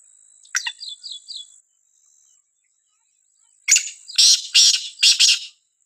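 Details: Black francolin (Sindhi kala teetar) in a village: a few small high chirps first, then after a pause a strong rasping four-part call, grating bursts about half a second apart, with a thin steady high hum throughout.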